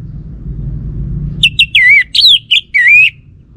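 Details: Orange-headed thrush lure song to provoke a reply from a male. After low humming noise, a loud series of about six fluty, looping whistled notes, some rising then falling, delivered in quick succession.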